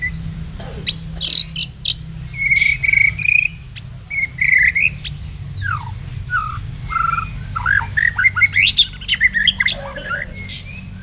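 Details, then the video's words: White-rumped shama of blacktail type in a song duel against a kapas tembak kept for tutoring songbirds; a rich, fast stream of varied whistles, sweeping slurs and sharp chips, tightly packed, over a constant low hum. "Duel MAHADEWA Murai Batu Blacktail VS Kapas Tembak Untuk Masteran"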